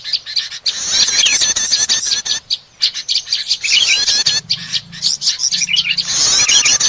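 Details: Noisy prinia lure recording for trapping small birds, with rapid high chattering and twittering in bursts separated by short gaps, plus a low hum in the middle.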